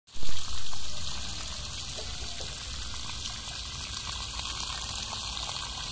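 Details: A short thump, then constant pouring and trickling water with a low hum, and no animal voices.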